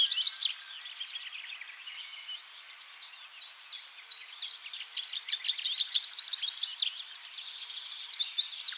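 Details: Tree pipit (Anthus trivialis) singing in Bakkum, the Netherlands, in 2023: fast, high trilled phrases of repeated notes, building from softer twitters into louder, quick sweeping series.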